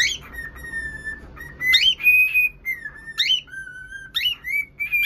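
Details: Whistling cockatiel: loud clear notes, some held level, others swooping up then down, with brief harsher rising squeaks between them, repeated rapidly over a faint background hum.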